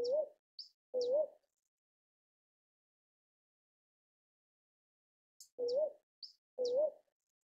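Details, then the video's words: Northern boobook owl calling in paired hoots, two notes close together, a silence of several seconds, then another pair; each note low and slightly wavering, with faint high ticks before them. "褐鷹鴞(北鷹鴞)/Northern Boobook"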